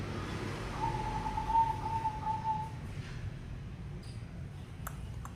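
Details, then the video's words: Zebra dove calling, used to prompt other doves to sing: one level, tremulous cooing trill at mid pitch lasting under two seconds, then quiet background with a few faint clicks. "Panggilan perkutut pasti bunyi dengar ini"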